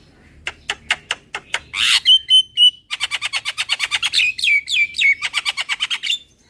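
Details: Javan myna lure call, starting with spaced clicks, then a harsh burst and sustained whistles, followed by a quick, regular chatter series with downward-sliding whistled notes.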